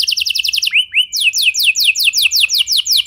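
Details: Canary song to draw other canaries into singing: a quick high trill, two lower upward-swooping whistles, then a string of repeated descending sweeps at a steady pace.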